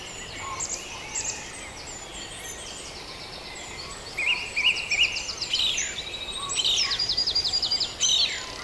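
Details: Birds singing in the Farndale dawn chorus. Faint scattered notes at first, then loud trills and fast repeated chirps from several birds at once take over the second half.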